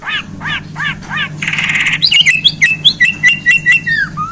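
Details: Bornean white-rumped shama singing: a few repeated slurred whistles, a harsh buzzy burst, then a fast run of clipped high notes and ringing whistles ending in a descending slur, over a faint low background hum.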